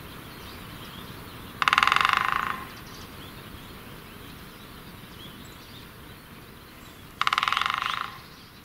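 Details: Great spotted woodpecker hammering rapidly at a tree like a machine gun. Two rapid rattling rolls, each just under a second, separated by about five and a half seconds of quiet outdoor background.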